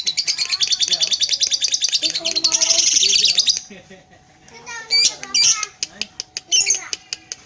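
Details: A pied lovebird's long ngekek: intense, shrill, rapidly pulsed chatter for over three seconds while the tail moves, then a quiet pause and a few sharp squeaks and clicks.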